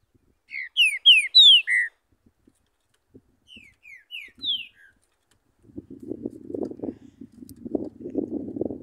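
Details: Free-flying Green-winged saltator training its song in Urupema, Santa Catarina, Brazil, said to be the coldest place in the country: a burst of loud whistled slurred notes, then softer rising whistles, followed by low rumbling noise.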